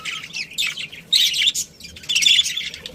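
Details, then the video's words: Pet budgerigars in a colony with a breeding pair, chattering in bursts of high, scratchy chirps and squawks, loudest around the middle and end, with short quiet gaps between. "Cute Budgies Chirping Sounds"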